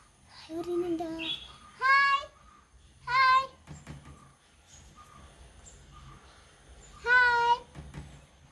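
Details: Pet parrot talking Malayalam with its owner: short harmonic, speech-like phrases with a nasal, warbling quality, three bursts spread over several seconds, with quiet background hum between them.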